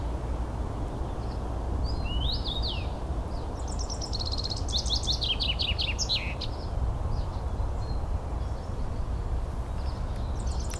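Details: Common rosefinch recorded in Espoo, Finland, 9 June 2015, giving a clear up-and-down whistled phrase, then a rapid series of bright, descending notes, with a few further short notes afterward, over constant low-pitched background rumble.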